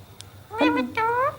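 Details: A parrot gives two short voiced syllables, the first falling and the second rising slightly, like a spoken greeting, after a soft click.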